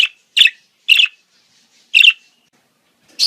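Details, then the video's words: Budgerigars in breeding season giving mating calls, played to stimulate breeding in birds at least eight months old: short bright chirps, four sharp notes spaced irregularly about half a second to a second apart. "صوت تزاوج طيور البادجي"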